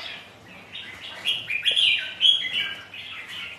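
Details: Rival red-whiskered bulbuls spar in windy rain, giving short warbled, chirping notes that build to a louder cluster in the middle and then taper off.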